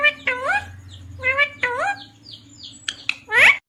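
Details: A talking ringneck parrot that says "mummy papa": harmonic, voice-like syllables that rise and then fall, grouped into short phrases, followed by sharper squeaky notes and a final loud, rich call.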